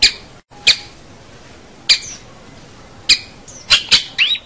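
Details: Long-tailed shrike (cendet, pentet), singing actively, used as tutor song for local shrikes: sparse, sharp, raspy notes spaced about a second apart, then a quicker cluster with a short slurred whistle at the end.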